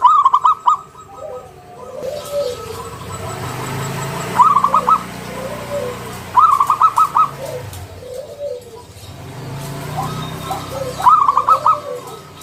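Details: Lure song of a local zebra dove, a frequent singer in the ngalun style with a round kung note, meant to make other doves sing. Four clear bursts of fast staccato cooing are separated by softer low arched coos over a steady hum.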